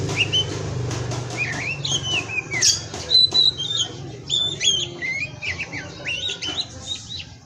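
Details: Captive-bred Oriental magpie-robin (kacer), a 'pastol' tutoring recording: a run of clear whistled notes, rising and falling slurs and quick upturned phrases, with faint low hum and brief clicks early on.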